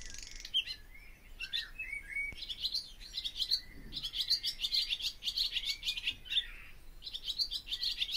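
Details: Barn swallow song made of dense high twittering and buzzy notes, with slurred whistles early on and a long, steady chattering run through the second half.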